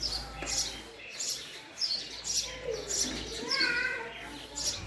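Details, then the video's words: Male house sparrow calling, repeated bright chirps at roughly half-second intervals, high and sharp, with a lower murmuring background and other faint voices underneath. "Call Of Male House Sparrow"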